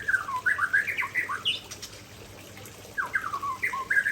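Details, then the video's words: Murai Aceh shama with its signature fill: a quick burst of tumbling whistles, then a pause of about a second and a half, then another run of bright slurred notes. "Murai Aceh Tumpahkan Isian Andalan"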